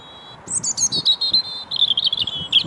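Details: European robin singing from a tree at the old motte and bailey castle site on Bailey Hill, Mold, Flintshire, Wales, on 27 February 2022: a rapid, high, tinkling phrase of thin whistles and trills, sweeping between warbled notes and sustained tones.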